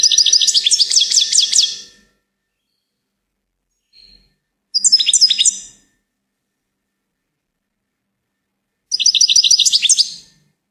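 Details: Goldfinch song in three bright bursts of about two seconds each, separated by silences; rapid twittering and tinkling notes packed high in pitch, with a faint short note between the first two phrases.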